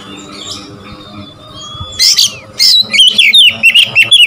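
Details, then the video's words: Oriental magpie-robin song to provoke rival birds: a thin, faint, drawn-out whistle, then a quick series of sharp, bright chirps repeated several times per second. "memancing emosi Kacer lawan"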